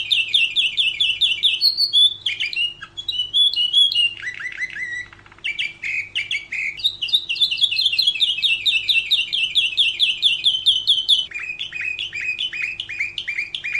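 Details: Long stretch of Atlantic canary training song for other birds, mixing quick chirped phrases, a brief rattle, sweeping warbles and rapid rolling trills with hardly a pause. A faint steady hum is present.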